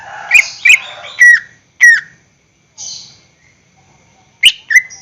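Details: Greater green leafbird, caged, singing as a lure recording to make other caged birds sing: loud clear whistled notes, some sliding downward, in short bursts separated by pauses, with a brief buzzy note midway.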